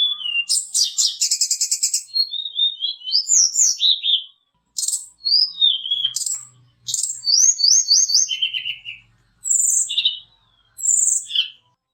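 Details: Mountain tledekan singing energetically as a lure to provoke fighter birds. It opens with dense buzzy trills. Cascades of sliding whistles, quick repeated upslurred notes, and brief pauses between bursts come next.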